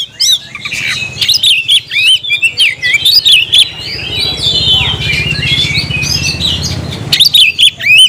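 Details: Caged oriental magpie-robin singing energetically: a dense stream of varied whistled and slurred notes, rapid trills and squeaky twitters, bursts separated by brief pauses, with a steady low hum underneath.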